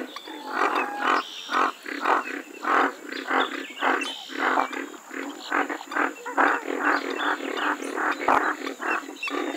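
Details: Western swamphen giving a long, steady run of loud, coarse, nasal notes, repeated about twice per second in an even rhythm with little pause.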